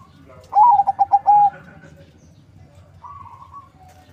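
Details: Lure zebra dove, a local and Bangkok hybrid raised in Bekasi, West Java, gives a single phrase of five quick pulsing notes ending in a drawn-out coo, then a quieter higher coo after a pause.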